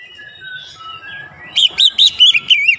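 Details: Oriental magpie-robin song played to rile other kacer: soft, thin sliding whistles, then a burst of five loud, rich whistled notes in quick succession over a low background rumble.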